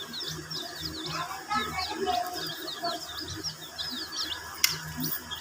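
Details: Domestic chicks, hen-coloured, chirping while drinking water: many short high down-slurred peeps overlap continuously, with a low murmuring background and a sharp click near the end.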